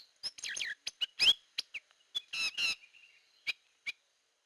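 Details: Hair-crested drongo, known locally as gentolang or srigunting kantil, in a lure recording: a run of varied metallic chirps, slurred down-sweeping whistles and harsh ringing notes, followed by a quieter gap and two isolated sharp chips.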